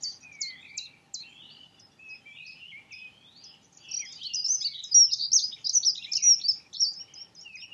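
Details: Dunnock singing: soft, thin, high chirps at first, then a loud, fast, jumbled warble of squeaky notes running for about four seconds. Another bird's short repeated notes sound faintly throughout.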